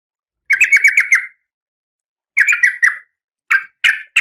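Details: Oriental magpie-robin female in breeding condition calls the male with quick buzzy chattering bursts of rapid scratchy notes, followed by three separate harsh rasps.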